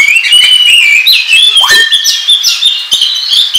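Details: Oriental magpie-robin lure song for trapping, with a long wavering whistle, then a sharp downslurred note and rapid high twittering phrases, fast and bright.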